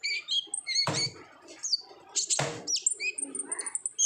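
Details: Olive-backed sunbird lure song in energetic 'gacor ngobra' style to make other birds sing; high whistled notes and trills, interrupted by two loud scraping thumps.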